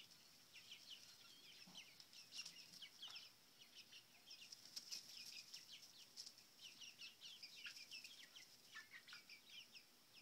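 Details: Young chickens, seven weeks old, at their coop eating mealworm and cricket treats: a busy chorus of high, thin, downward-sliding peeps overlapping throughout, with soft scratchy movement sounds underneath.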